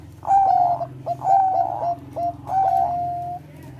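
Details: Zebra dove of the Bangkok type giving a sweet song meant to stir breeding condition: a series of clear, level whistled coos in short repeated phrases, with a steady low hum behind.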